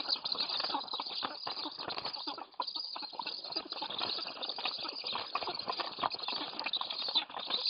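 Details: Black stork chicks being fed at their nest in Łódź, Poland, on a July morning, giving a dense, continuous chatter of harsh, wheezy begging notes, with flapping and rustling throughout.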